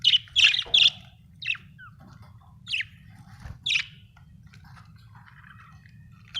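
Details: Budgie gives three rapid loud chirps at the start, then single sharp high chirps spaced about a second apart, fading to faint chatter and quiet at the end.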